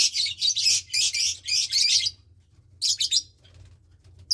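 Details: A lovebird chick roughly 20 days old, from a Parblue Turquoise and Euwing Blue Opaline pair, sharing a nest with one sibling; bursts of harsh, high, scratchy chattering for two seconds, a pause, then a shorter raspy burst.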